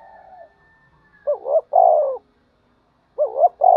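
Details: Spotted dove calling while urged to fight. A soft low murmur opens, then two phrases of two brief rising notes followed by a long, steady, slightly sinking coo.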